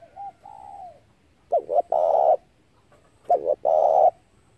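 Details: Spotted dove cooing as a trapping lure: a quiet slurred coo, then two strong phrases each made of a looping double note and an extended rough coo, under two seconds apart.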